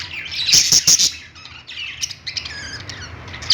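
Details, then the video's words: Budgies on a pet-store perch open with three loud shrill chirps, then fall into softer rambling warbles and squeaks. "budgies singing on perch | parakeet chirping sounds in pet store"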